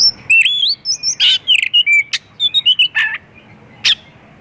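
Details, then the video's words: Oriental magpie-robin singing a lively, varied song packed with fill-in phrases, used to lure other magpie-robins into song; rapid run of sweet whistled notes and rising slurs with harsh, buzzy bursts between, then a last scratchy note after a pause. "Kacer gacor full isian pancingan burung Kacer"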